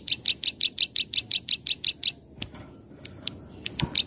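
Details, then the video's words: A plain prinia sings in the 'klik-klik' manner favoured for master recordings: about twelve rhythmic, buzzy clicks in quick succession, followed by a few isolated sharp ticks. "Burung Klik - Klik / Ciblek Sawah Gacor Cor Paling Di Cari Untuk Masteran/Pancing Bunyi"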